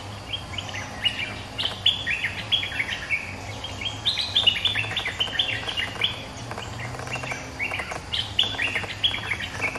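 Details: Resident bulbul calling back at a rival: lively bubbling phrases of short rising and falling chirps, delivered in clusters over nearly ten seconds, with a low background drone throughout.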